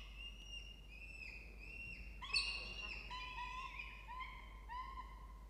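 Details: Peregrine falcons at a nest box in a water tower at Charles Sturt University, Orange, New South Wales, Australia, 4 November 2024, late afternoon; two nestlings about a month old. Drawn-out harmonic wailing notes, with a sharper louder burst midway.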